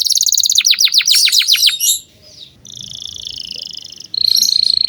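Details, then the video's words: Young canaries are trained with this vigorous canary song: a fast, bright series of descending sweeps, a brief pause, then a steady high trill and a sharp ringing rattle. "Pancingan kenari gacor buat kenari paud"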